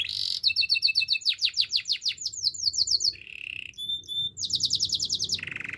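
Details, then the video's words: Canary singing a training song: a bright buzzy note, then rapid falling whistled trills that speed up, a low rolling phrase, clear tonal notes, and another quick trill ending in a buzz. "Beautiful voice of canary birds"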